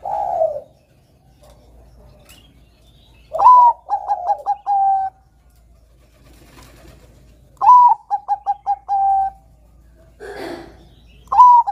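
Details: Bangkok zebra dove singing vigorously as a lure for young doves. Repeated phrases, each a sharp rising note, four or five quick staccato coos and a lingering final coo, with a soft low coo and faint background hum between them.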